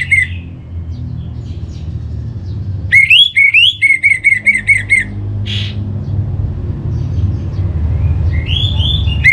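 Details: Orange-headed thrush, a caged songbird in North Bali, used as a lure: a rapid run of about eight repeated clear whistled notes, a short rasp, later a softer slurred whistle, over steady hum.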